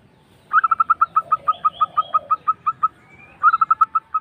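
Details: A local zebra dove recording used as a lure to provoke other doves to respond: a rapid rolling series of soft, clipped coos, about sixteen notes slowing slightly, then a second quick burst.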